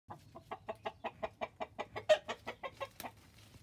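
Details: A domestic rooster that behaves as if it were a hen cackles: a fast run of about seventeen clucks, roughly five per second, with one louder squawk near the middle.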